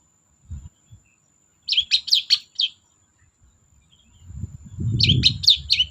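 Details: Long-tailed shrike singing as a lure for quiet shrikes: two bursts of rapid, harsh, scratchy chatter of four or five notes each, separated by a pause, the second backed by a rising low rumble.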